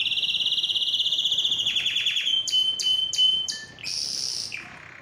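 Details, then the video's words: Canary song aimed at getting birds to sing and breed: a fast high rolling trill slows into a stuttering series, followed by sharp clicks, a low short note and a closing buzzy phrase. "علاج صمت الكناري: أسمعه هذا المقطع وسيبدأ بالتغريد فوراً | Make Your Canary Sing"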